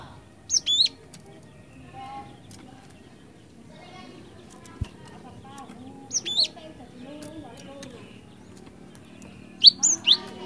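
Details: Glatik batu, the cinereous tit, in full voice as a lure recording: short bursts of two or three sharp high notes repeated about every three seconds, with faint low background noise between phrases.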